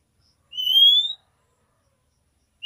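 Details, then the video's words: Female oriental magpie-robin giving the nyiul call to a male: one long, pure whistle sliding steadily upward, followed by silence. "KACER BETINA NYIUL MEMANGGIL JANTAN"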